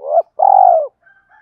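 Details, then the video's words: Spotted dove coo used to attract wild doves: a short rising note, a brief gap, then a long, loud, slightly wavering coo that falls away at its end. "tiếng chim cu gáy kích bổi, cu gáy thúc và gáy gọi giọng hạp bổi"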